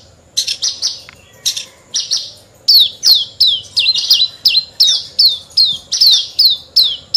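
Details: Horsfield's bush lark in lively song: a few scratchy opening notes, then a steady run of high, downslurred whistles repeated almost three times a second, each note sharp and bright.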